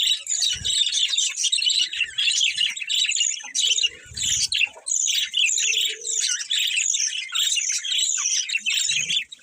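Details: Brightly coloured pet budgerigars give busy bursts of high, scratchy chirps and warbles in quick succession, with faint low thumps between.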